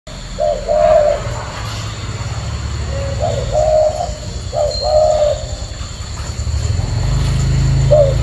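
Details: Tame caged male spotted dove wearing leg rings, cooing in low, hollow phrases. Each phrase is a brief note followed by a longer steady coo, repeated several times over a loud, deep rumbling hum, with a faint high tone throughout.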